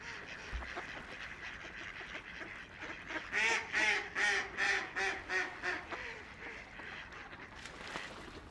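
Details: Ducks by a quiet river, floating, splashing and playing; a loud series of about ten nasal quacks comes in an even rhythm mid-way, with quieter calls and water before and after.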